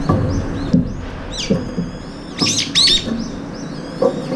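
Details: Feeding Brown-eared bulbuls, up to five jostling and pecking over food, give a series of shrill, bending squeals and rough screeches, some overlapping, with soft thumps and low background noise between them.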